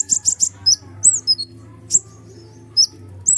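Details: Sunbird, called kolibri ninja, singing loudly and continuously, used as a lure to provoke other birds; very high, thin chirps and short down-slurred whistles in quick bursts with pauses, a low steady hum underneath.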